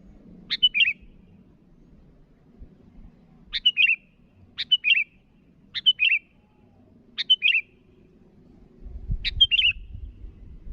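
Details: A sooty-headed bulbul calls to rivals with six short, bright warbled phrases, most about a second apart after an early pause. Low rumbling rises near the end.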